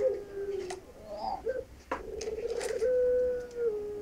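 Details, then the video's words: Barbary dove (puter pelung) male courting its female: low, drawn-out coos, the last a long steady note held about a second, with a few sharp clicks and knocks around it. "PUTERNYA LAGI NGERAYU BETINANYA"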